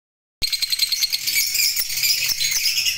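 Lovebirds chattering in a dense, shrill stream of high squeaks and twitters, with rapid overlapping notes and no other sounds.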